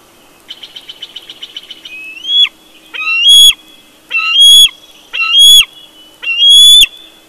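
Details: Bald eagle at its nest at Big Bear in the early morning: a quick run of staccato high chips, then five shrill, thin, whistled squeals that rise and fall, each about half a second long and spaced roughly a second apart.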